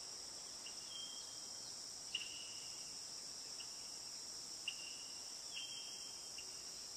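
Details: Brazilian tanager (Ramphocelus bresilius) in the wild, giving short, clear whistled notes at an uneven pace, about every second or two, over a loud steady high insect chorus.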